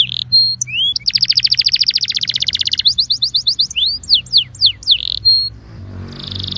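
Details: A Belgian canary's warm-up song: opening whistles and a swoop, then a long fast trill, a quicker run of repeated notes, and looping downslurred whistles before a final steady tone.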